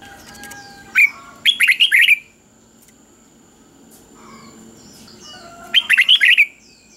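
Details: Three-syllable doubled song of a caged red-whiskered bulbul, counting style, meant for young birds to copy; a sharp single note, then a fast chirpy warble, a long quiet gap, and the warble again, over a faint steady high tone.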